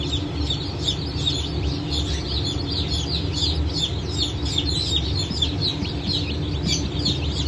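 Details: Newly hatched Brahma and Wyandotte chicks, hatched 4 August 2024, form a dense chorus of high, short peeps that overlap continuously. A steady low mechanical hum runs underneath.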